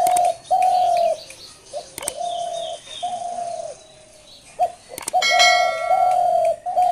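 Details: Dove calling with steady, level coos near mid pitch, each held about half a second to a second and repeated in a loose series with short gaps; sharp clicks and brief higher chirps from other birds break in between.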